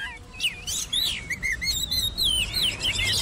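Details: Oriental magpie-robin delivering a stream of looping whistled notes and chirps, rising and falling, over constant background hiss.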